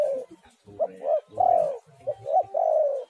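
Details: Spotted dove cooing on a lure recording: brief notes and longer falling coos close together, with faint low murmuring underneath.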